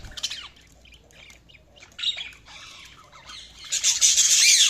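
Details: Scratchy budgerigar chirps come in short rapid bursts, quiet in the middle, then swell into a loud continuous harsh squawking chatter at the close.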